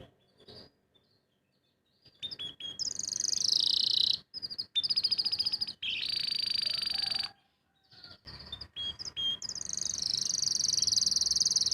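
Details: Canary singing after its moult, song not yet in full, lively form: long bursts of rapid, buzzy high trills and rolling chatter, broken by short silences, with a few thin sharp chirps between phrases.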